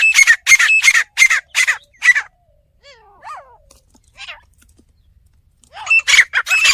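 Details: Loud, harsh, rhythmic notes from a village fighting partridge, about six in two seconds. Quiet, slurred whistles fill a pause, then the grating calls resume at the end.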